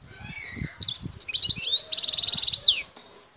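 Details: Wild Algerian goldfinch from Bouthelja, El Tarf sector, Algeria, singing: a lead-in of high chirps and slides, then a long buzzy trill ending in a downward swooping note; soft low thumps underneath early on.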